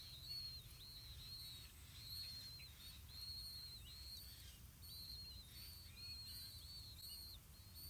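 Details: Blue-winged pitta parents feed their chicks earthworms at the nest. Short, high, thin whistled notes come in loose clusters, some paired and rising-falling, against a constant low rumble.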